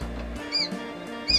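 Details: Newly hatched Cyprus quail chicks inside a transparent incubator give two high, thin peeps about 0.8 seconds apart over the steady low hum of the machine.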